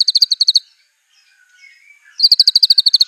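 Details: White-rumped shama singing fiercely, its song filled with imitated canary, cililin, cungkok and LB kapas phrases: rapid high chirps in bursts, a quiet gap with faint thin slurred notes, then another fast run of chirps.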